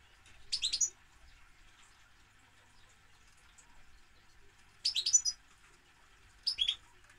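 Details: European goldfinch giving three brief, high, chattering twitter phrases, the first near the start and two more toward the end, separated by long quiet gaps over a low background hum.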